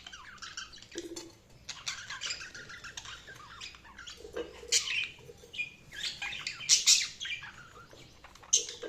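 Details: Pet budgerigars chirping in quick bursts of scratchy warbling and squeaks, with brief pauses and a louder cluster of sharp chirps toward the end.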